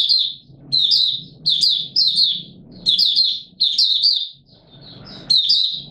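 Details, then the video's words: Open song of a Mata Puteh Raja white-eye kept as a songbird, recorded 20 March 2022 in warm humid weather; high chattering twitters come in quick repeated phrases over a faint low rumble. "Mata Puteh Raja Video 1 buka sing"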